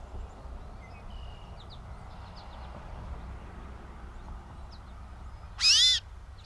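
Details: Gray catbird recorded in Bowdoinham, Maine, 16 May 2020, giving one loud, nasal, arched mewing note near the end, after a stretch of faint distant bird twitters over steady background noise.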